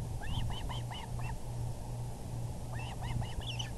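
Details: Osprey calling at the VGCC nest on an April 6, 2020 evening, 6:30 pm EDT, when the male delivers a big fish; two runs of sharp, upslurred whistled chirps, about five in each, over a low hum and background noise.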